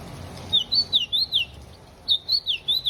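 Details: Ultramarine grosbeak singing in the rain while perched on a hand: a short phrase of sweet, wavering whistled notes rising and falling, given twice with a pause between.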